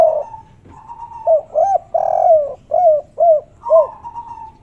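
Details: Spotted dove (derkuku/tekukur), kuk 3 style, local natural recording: a loud rhythmic series of deep, rounded coos, about six notes in quick succession, preceded and followed by a softer drawn-out hoarse note.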